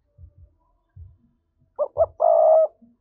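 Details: Spotted dove giving a 'thúc' style coo, played to provoke wild doves as a trapping lure: two short rising coos followed by one long, steady, low coo, with faint low knocks before it.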